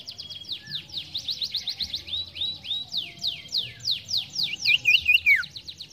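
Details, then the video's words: Sirtu in strong, lively song, used to lure and train a young bird: a fast run of loud, sharply descending whistled sweeps, repeated about twice a second, ending in a bright twittering trill, with faint low background hum. "Sirtu gacor ampuh pancing bunyi sirtu bahan"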